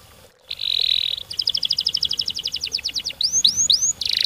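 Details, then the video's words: Canary song, with a steady buzzy trill, then a run of quick pulsed notes, three rising-then-falling whistled sweeps and a final buzzy burst, faint hiss in the background. "Burung kenari gacor ngerol ngedur panjang, Suara Kenari gacor speed rapat untuk pancingan kenari"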